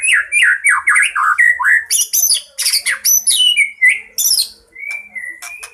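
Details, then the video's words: White-rumped shama in a fighting song packed with fill-ins, used to lure birds: bouncing downslurred whistles, then harsh high buzzy bursts, ending in clear, drawn-out whistled notes. "Murai batu tarung full isian sangat cocok pikat burung cepat ngeplong dan gacor"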